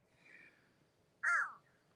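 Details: Outdoor crow answering a person's imitated caw; a faint distant sound first, then a single loud, raspy caw with a falling tail.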